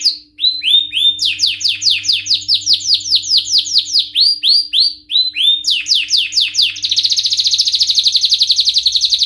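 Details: Canary male singing excitedly, loud and varied: rolling tours of repeated downward-sweeping notes at several speeds, short pauses between phrases, finishing in a very rapid buzzy trill over a faint low hum.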